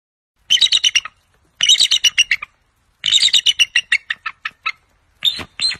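Bald eagle giving high, thin, piping chatters in four quick bursts of about six to ten notes, each series fading toward its end; no other sounds.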